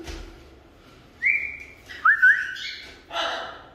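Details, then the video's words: Pet African grey parrots at home while a person tries to talk with them: two clear whistled notes, a high level one then a lower one with a little wavering, followed by a short harsh squawk; a person says hello. "Talkative Birds - African Greys Parrots"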